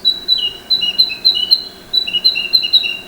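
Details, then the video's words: A forest-dwelling Narcissus flycatcher in Japan in spring to early summer sings a rapid series of clear, high whistled notes alternating between a higher and a slightly lower pitch, in two short phrases. "キビタキ Narcissus flycatcher"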